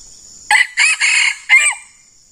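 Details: Red junglefowl crow as a decoy bird meets a very fierce wild male: loud, harsh, four-part crow lasting about a second and a half, the last note short and clipped, with a faint insect hum behind.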